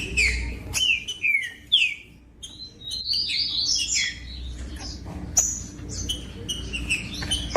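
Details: Green-winged saltator song recorded from a caged bird to stimulate others: descending whistles early, then a warbling rising passage and scattered clicks, with faint low hum.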